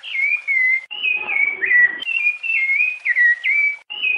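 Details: Rufous-bellied thrush delivering Piedade song: loud, pure whistles in quick phrases, each note bending downward or rising, with short gaps between phrase groups.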